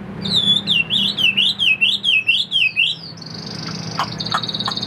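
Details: Chinese hwamei, a tame captive bird, giving rolling wavy whistles that rise and fall in a steady rhythm for three seconds, then a sustained even tone with a few clicks.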